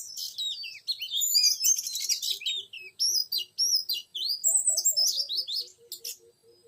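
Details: Oriental magpie-robin heard while luring a young wild male: rich, varied whistles and chattering notes high-pitched, some rising and falling, with a steady series of low soft piping notes beneath from another bird.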